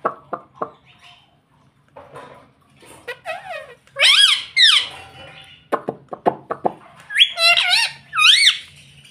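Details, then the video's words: Indoor pet ringneck parrot repeating "mummy" several times, bright, nasal two-syllable words with arched pitch, mixed with short clicks and squeaky sounds in a small room. "मम्मी बोलने वाला तोता"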